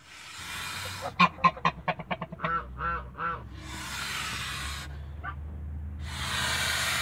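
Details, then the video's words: Male goose defending its family in a backyard on a Greek farm, giving a quick series of loud harsh honks that slow into longer drawn nasal calls, followed by broad bursts of hissing noise. "FATHER GEESE IS WORKED TO PROTECT YOUR FAMILY IN THE BACKYARD"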